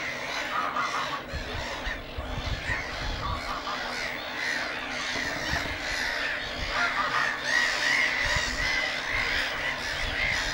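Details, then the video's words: A Black-headed Gull colony at Lake Hornborga: many gulls call at once in a dense, continuous chorus of harsh, grating cries, some rising to squealing notes, with low wind rumble beneath. "Black-headed Gull colony"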